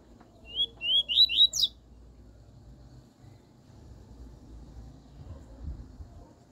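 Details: Double-collared seedeater singing the pure 'tui tui' song style, used for training a young bird: a quick run of about four rising, slurred whistled notes ending in a higher upswept note, lasting under two seconds, then quiet with low background hum.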